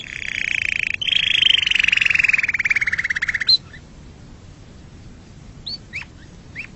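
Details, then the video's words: Canary song: a sustained buzzy roll breaks into a faster pulsed trill that gradually descends, then stops, leaving a few soft hooked chirps near the end. "Canary bird sound for montage / صوت الكناري للمونتاج"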